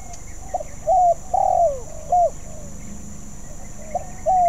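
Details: Spotted dove still learning its song: a low cooing phrase of short and drawn-out notes, the long note falling at its end, repeated after a pause; quiet outdoor background.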